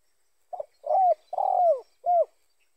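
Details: Spotted dove cooing, a recording used as a lure for other spotted doves: a short soft note, then a fuller coo and a longer, rougher coo sliding downward at the end, closed by a crisp falling coo, all mid-low and otherwise quiet.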